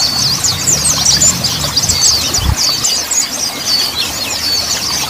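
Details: Mountain white-eye song, played as training audio to get untrained young birds singing quickly: a dense, fast stream of thin, high twittering and squeaky chirps without pause. A steady low rumble runs beneath, with a brief thump midway.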